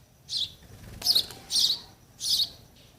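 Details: Sparrow nestlings waiting for their parents to bring food give three short, high chirps, about one every second, with a brief rustle between them.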